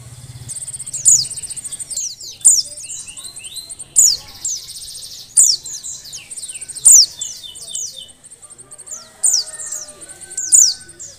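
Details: Oriental white-eye female in breeding condition calling to excite males into singing: dense high twittering trills broken by sharp descending slurs roughly every one to two seconds, with a faint low hum at the start.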